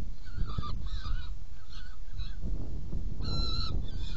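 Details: Saker falcon nest box during feeding, 17 June 2018, 10:31: a handful of separate harsh, slightly wavering calls with short gaps between them, then one louder call near the end, against steady low-pitched noise.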